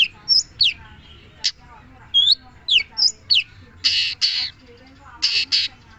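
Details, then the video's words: Long-tailed shrike with scattered high whistled slurs and sharp chips, interrupted by harsh, rasping buzzy bursts in pairs. "Burung cendet"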